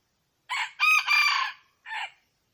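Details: Loud crowing from a red junglefowl in a quiet setting: a short hoarse first syllable, a long strained middle section and a clipped lower final syllable.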